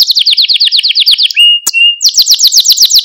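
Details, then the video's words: Singing Malta canary, used for training young canaries: a quick repeated high trill, a short whistled rising note, a sharp click, then a brighter, faster rolling trill to the close. "Süper Bir Malta Kanarya Sesi Ve Ötüşü | Kanarya Huylandırma ve Kızıştırma"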